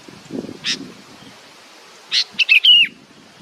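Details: Baby bird waiting for its mother: one isolated chirp, then a quick burst of chirps ending in a drawn-out descending whistle, with soft rustling at the start.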